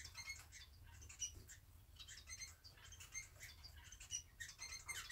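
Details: Two society finches kept at home, huddled close together while preening after a bath, give short harmonic chips, repeated irregularly about once a second, over soft feather rustling and a low room hum.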